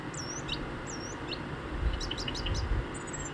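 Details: A song thrush sings clear, high whistled phrases with a rapid run of sharp notes, over a low background rumble, recorded in early spring deep in rural Hampshire, England.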